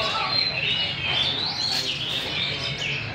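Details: Caged hwamei (Garrulax canorus) of wild origin performing during a singing competition; dense, fast warbled song of clear whistles and twittering, steady throughout.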